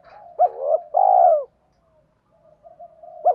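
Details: Spotted dove used as a decoy, cooing in gọi and thúc styles to pull in wild birds. One strong two-part coo, a short note then a longer falling one, amid soft low murmuring, with another phrase starting at the end.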